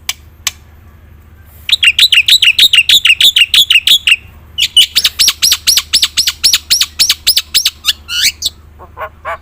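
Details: Black-winged myna singing lively with many fillers, used to prompt reluctant birds to sing: two fast bursts of sharp, high chipping notes repeated about three times a second, split by a short pause, over a low steady hum.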